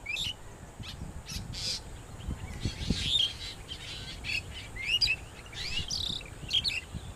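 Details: A Long-tailed Shrike mimics a drongo that is calling in the background, giving harsh chattering notes and short high whistles every second or two, while a man talks quietly underneath.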